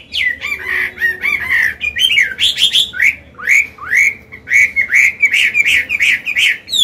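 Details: Old Chinese hwamei singing forest-style song for training young caged birds: chattering warbles at first, then steady, evenly spaced rising whistled notes repeated in a flowing series.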